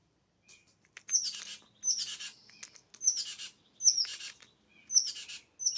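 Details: Early-morning California scrub-jays feasting at a feeder in the San Diego County mountains; harsh, scratchy calls repeated about every second, each led by a sharp high note, with faint softer notes between.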